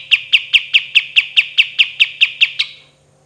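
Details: A kapas tembak cotton bird delivers a tidy run of twelve sharp, regular shot notes, each about a fifth of a second apart, then falls silent.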